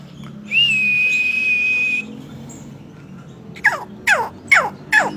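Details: Chinese hwamei song containing oriental magpie-robin mimicry. A long, steady, pure whistle lasts over a second. After a pause come four sharp, fast downward-sweeping notes about half a second apart.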